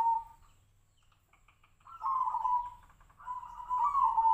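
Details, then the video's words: Zebra dove of the Tejoanom voice style, likened to sirtu-sirpo birds: a short low coo, a pause, then two longer wavering, slightly rising cooing phrases. "PERKUTUT TEJOANOM|| SUARA SEPERTI BURUNG SIRTU-SIRPO"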